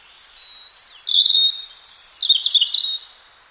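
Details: Wild European robin in spring song: a faint high note, then a clear, fluid phrase of very high thin whistles and fast warbled trills sliding between pitches, lasting about two seconds, on a clean quiet background.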